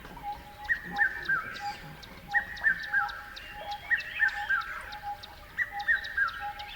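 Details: Birds chirping steadily: four runs of crisp chirps, three or four notes each, dropping a little in pitch, spaced about one and a half seconds apart, with a low steady tone and faint high clicks throughout.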